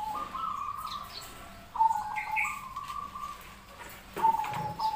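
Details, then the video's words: Local and crossbred zebra doves singing, used as a master lure recording so other doves answer: trilled, bubbling coos held near one pitch, a long phrase then short bursts, with faint chirps of other birds in the background. "Suara perkutut lokal vs Krosing cocok untuk masteran pancingan langsung Nyaut"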